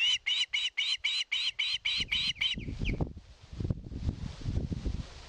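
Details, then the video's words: Osprey at a Satakunta nest in Finland, 2022, pleading for fish with about ten evenly spaced, sharp whistled notes, ending in a downslurred call before rumbling wind-like noise. "GIVE ME FISH."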